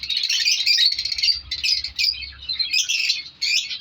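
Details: African lovebirds in colour varieties breeding as a colony in an aviary during winter, producing loud, scratchy, shrill chatter in waves with short gaps.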